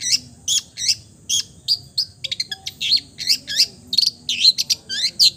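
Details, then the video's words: Long-tailed shrike song built from imitations of other birds. Varied high notes, some hooked and slurred downward, some short clicks and buzzy bursts, come in uneven bursts with brief pauses between them. "MERDU SUARANYA, BISA MENIRUKAN SEGALA SUARA JENIS BURUNG | CENDET FULL MATERI"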